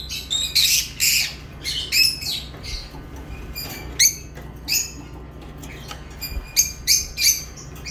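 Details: Shrill lovebird chirps come in short separate bursts, a sharp squeaky note roughly every half second with brief gaps, some notes sliding upward; constant low hum beneath.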